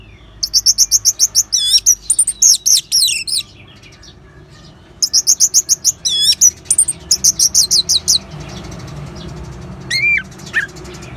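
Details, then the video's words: Orange-headed thrush in ngeban song style, used as a lure to stimulate caged birds to sing: two bursts of rapid, high, looping whistled notes repeated in quick series, then a pause and one lower slurred phrase near the end. "Suara Ngeban Untuk Pancingan ANIS MERAH"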